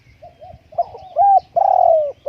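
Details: Spotted dove at home while strong wind keeps it from going out: quiet soft coos build to a loud arched coo and a long, gradually falling coo, over a low thudding rumble.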